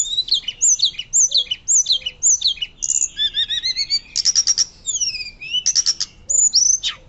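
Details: Loud fluting 'nyuling' song of a hill blue flycatcher, kept as a master recording for teaching other birds: a series of high chirped notes, then warbled trills, rattling bursts and long down-slurred whistles.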